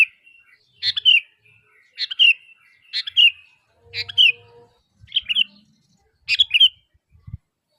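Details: Sooty-headed bulbul (kutilang) calling so that other bulbuls reply: short, bright chirped phrases of a few notes, repeated about once a second with clear pauses between them.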